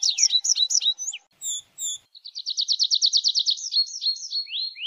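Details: Tree pipit song mixing short chirps, a few isolated notes and a steady rattling trill of about a dozen notes, ending in drawn-out, falling, slurred whistles.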